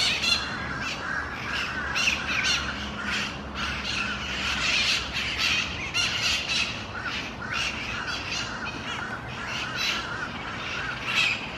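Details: Mitred parakeets feeding on seeds at Fuchs Park, Miami-Dade County, Florida, on December 4, 2016; harsh, raspy squawks and screeches overlap in a dense, continuous chatter, with several birds calling at once against outdoor background noise.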